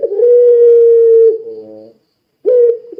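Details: Barbary dove singing keenly in pelung style to set off other doves: a long level low coo, a softer falling harmonic note, then the start of another coo.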